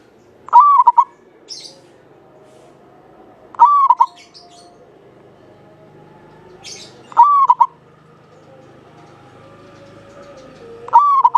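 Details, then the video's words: Zebra dove of the local Javanese type, kept as a stimulus bird for other doves, giving clear rolling coos with a quick trilled ending, each phrase spaced roughly three and a half seconds apart against quiet low hum. "Perkutut lokal jawa gacor buat pancingan suara panjang bening"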